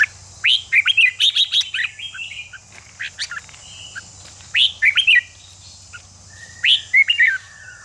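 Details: Red-whiskered bulbul song used to get competition birds fired up: three energetic bursts of quick, rising whistled and chattering notes with brief gaps, over a persistent high hiss and a low hum.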